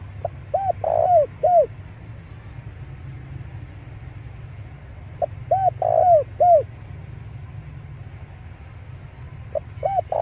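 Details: Male spotted dove cooing, as used to lure wild doves: three phrases about every five seconds, each a quick rising note, paired rounded coos, a drawn-out rolling coo and a falling end note, with low background rumble.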